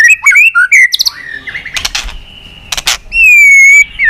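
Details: White-rumped shama singing a fighting song and beating its tail: quick rich whistles, then sharp clicking bursts, a long steady whistled note held nearly half a second, and a final slur.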